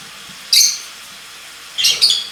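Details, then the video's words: Singing lovebirds give a sharp, high squeaky chirp, then after a pause a quick pair of shrill tweets, over a quiet indoor background. "lovebirds singing"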